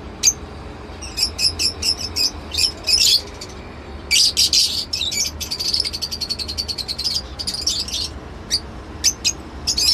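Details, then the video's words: Lovebird chirping busily: rapid strings of shrill, high clipped notes, a few louder harsh bursts around three and four seconds, then a long fast trill of chirps and spaced single calls toward the end, over a faint hum. "love bird sounds | lovebird behavior"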